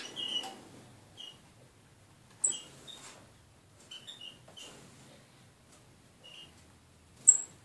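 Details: Two nearly tame female red-eared parrotfinches in a birdcage giving thin, high, very short tsit notes, some sharper and higher-pitched, in irregular bursts over several seconds against a quiet background.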